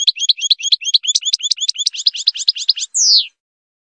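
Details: Goldfinch song meant to teach chicks, with a rapid series of twinned high chirps for almost three seconds, ending in one longer descending buzzy note.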